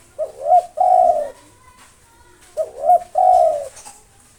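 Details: Local spotted dove with long-breathed song, used to provoke rival birds, repeats its phrase twice about 2.5 seconds apart: a quick stuttered double note then a long smooth coo.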